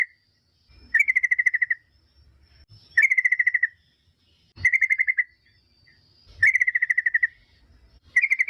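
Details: Lure recording of yellow-vented bulbul song meant to make other bulbuls respond: five bubbly bursts of fast, evenly pitched notes, each under a second, spaced about two seconds apart over low background rumble.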